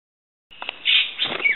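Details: At Fraser's Hill, a Common Green Magpie gives a brief, harsh, high-pitched call of about one second, rough and grating with a squeaky edge, then stops.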